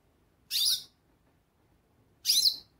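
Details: Goldfinch calling, two short bright high-pitched bursts about two seconds apart, each a quick burry chatter with rapid twittering notes, against a quiet background.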